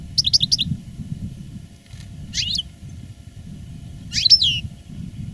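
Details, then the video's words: Caged veteran master goldfinch, a reclamo-style singer recorded live in 2017 after its moult: a short burst of quick high twittering notes, then two brief scratchy phrases after pauses, over steady low background hum. "Canto del jilguero "el arrugao""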